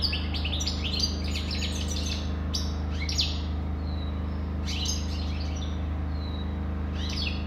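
A European goldfinch sings a rapid, tinkling run of high twitters and short rising notes, steady throughout, over a constant low mechanical hum.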